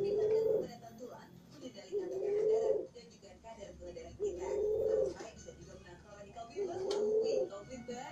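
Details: Perkutut Bangkok zebra dove cooing persistently in the morning: low, warbling coo phrases, each under a second, repeated about every two seconds over a steady background hum.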